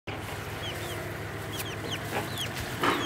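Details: Baby chicks that follow a person as if she were their mother give thin, high peeps: short down-slurred notes, around a dozen scattered over three seconds, over a steady low hum and a few soft knocks.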